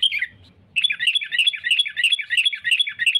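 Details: Sooty-headed bulbul song for luring rivals into traps: one falling phrase, a pause, then a steady stream of rapid looping chirps.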